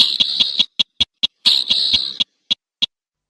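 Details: A slaty-breasted rail produces two harsh, scratchy rasps punctuated by crisp clicking notes, then a few isolated ticks trailing off into silence.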